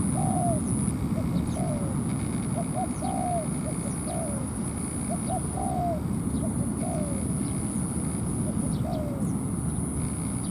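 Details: Spotted doves at a ground trap, a decoy bird luring a wild dove down to fight, late morning: repeated phrases of two short soft notes then a longer descending coo, about every 1.5 seconds, over steady low rumble and a high thin tone.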